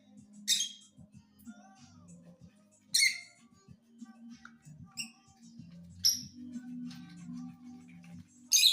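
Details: Caged pet lovebird singing: brief shrill chirps repeated every two to three seconds, each a quick high squeak, with quieter twitters between them and a constant low droning tone underneath.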